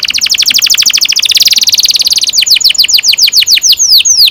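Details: Canary in full loud rolling song, used to prompt young canaries to sing: a rapid trill of fast repeated downslurred whistles that slows into a sequence of separate, sweeping descending notes.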